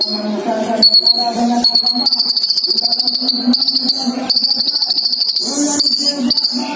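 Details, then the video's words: Male and female ninja sunbirds kept together, singing vigorously: a sustained high buzzy trill with repeated rapid notes, broken by short pauses, over a lower droning background. "disaat kolibri ninja dicampur jantan dan betina jadi gila gacor nya"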